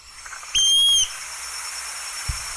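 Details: Western wood-pewee (Contopus sordidulus), a northern migrant listed among the birds of Sonso Lagoon near Buga, Colombia, giving what may be its dawn song: a single clear, high, slightly arched whistled note about half a second long, over faint hiss, then a soft thump.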